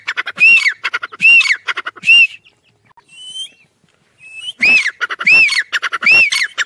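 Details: Black francolin chicks fighting give harsh, arched squawks, roughly one per second, in two bursts separated by a short quiet spell with faint thin whistles.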